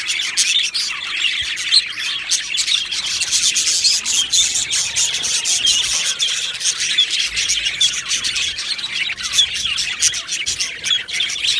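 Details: Colony of Australian budgies in an aviary, 15 July 2025; relentless high-pitched twittering and chirps from numerous birds, with scattered louder squawks over the steady chorus.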